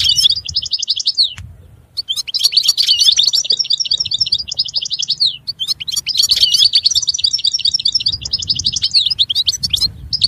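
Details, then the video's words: European goldfinch song, loud and close: rapid tinkling, twittering phrases of liquid chirps and trills, delivered in long continuous bursts separated by brief pauses, with a low rumbling background noise. "Chant Chardonneret تغريد طائر الحسون"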